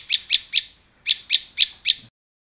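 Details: Bar-winged prinia song broken by a pause: three sharp, high chips, a short silence, then four more matching notes in quick, even succession.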